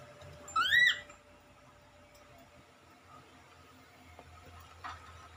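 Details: A male pet cockatiel gives one short, rising, whistled call, asking to be let out of his cage.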